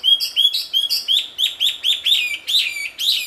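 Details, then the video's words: Wambi singing in the wild, a loud, melodious series of bright whistled notes, each sliding upward then dropping, repeated about every third of a second in an even, steady rhythm on a quiet background. "Suara merdu burung wambi di alam liar ternyata sangat merdu dan keras"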